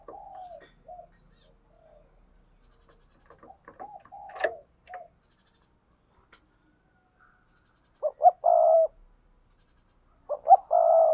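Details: Spotted dove in paired cooing: soft scattered coos mixed with clicks and scratchy noises at first, then two loud phrases, each two short hoots and a long coo, several seconds apart.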